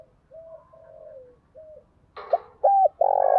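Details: Decoy spotted dove singing to stir a wild dove into fighting: quiet low coos followed by a sharp click and three loud, rough, downward-curling croo notes, the last drawn out.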